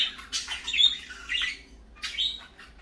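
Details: Parakeets calling in the morning, short rising and falling chirps and scratchy chatter in three quick bursts, with faint background hum.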